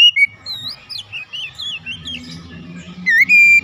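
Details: Oriental magpie-robin kept at home during daily training, giving looping whistled notes that rise and fall, followed by loud sharp whistled phrases at the end, over a low background murmur.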